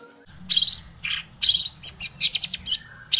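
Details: Long-tailed shrike, meant to make other shrikes respond and sing: short, irregular bursts of scratchy, chattering chirps and high notes separated by brief gaps, over a steady low hum.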